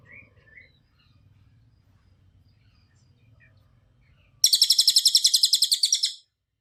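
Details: Cililin singing as a training recording: after quiet low hum and a few faint chirps, a loud, rapid run of high, ringing notes starts suddenly and repeats evenly for under two seconds.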